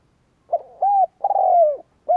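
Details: Spotted dove decoy singing to rouse rival doves. A loud clear phrase: a short lead note, a smooth arched coo, a long vibrating coo that falls in pitch, then the start of the next coo, against a still background.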